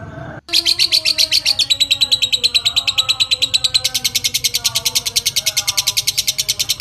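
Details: Lovebird of fighter type starting a long ngekek chatter after a brief silence, used to excite other lovebirds and to tutor birds; a rapid rattling string of high chips that speeds up and continues steadily.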